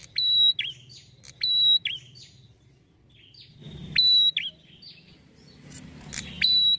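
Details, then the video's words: Prinia with a red head calling in full voice to goad rival prinias into answering: shrill level whistles mixed with clicks and downslurred chirps, repeated in phrases about every two seconds, low hum beneath. "PANCINGAN PRENJAK KEPALA MERAH,GACOR UNTUK MEMANCING EMOSI PRENJAK AGAR CEPAT NYAUT"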